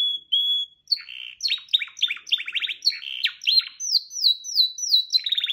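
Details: Canary song: a steady whistled opening tone, then rapid rolling trills of short notes, followed by a run of repeated downward-slurred whistles and a final fast trill, loud and clear with a silent background.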